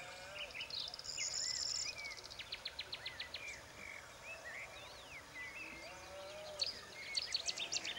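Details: Woodchat shrike on Lesvos giving a varied run of high chattering notes, quick dry trills and short slurred whistles, with a soft outdoor hiss behind.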